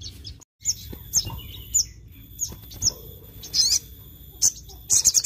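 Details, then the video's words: Sogon, a songbird singing at full volume to make other sogon birds agitated: sharp, high chirps and short squeaky notes repeated about every half second, with a brief silent gap near the start. "Bikin sogon lain cepat emosi | Sogon gacor full nembak"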